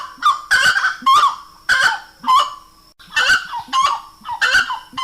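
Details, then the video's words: Slaty-breasted wood rail singing a raucous series of nasal, honk-like notes. Each note is strongly harmonic, and the notes come in quick, uneven bursts with brief gaps between phrases. "Canto da SARACURA-TRES-POTES"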